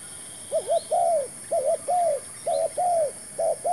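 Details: Spotted dove acting as a new decoy while trapping, cooing in rapid phrases of a short doubled coo and a longer falling coo, four phrases heard back to back, faint other bird chirps.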